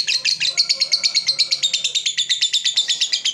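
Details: Lovebird 'ngekek' chatter for luring other lovebirds into long chattering: a quick, piercing trill of evenly repeated notes running through the whole three seconds over a faint low hum.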